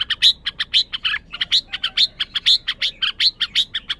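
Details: {'caption': 'Red-whiskered bulbul producing an unbroken series of loud, clipped high chirps, closely spaced and somewhat irregular in rhythm.'}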